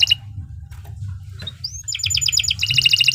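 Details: Canary song meant for tutoring other birds: a brief trill, quiet pause with faint ticks, a rising whistle, then a fast, evenly repeated rolling trill over a low hum.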